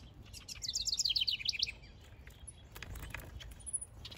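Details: Male house wren in a backyard, busy building a nest: a loud, rapid bubbling burst of high, sharp notes lasting about one second, tumbling quickly, then quieter soft background ticks and a faint high chirp.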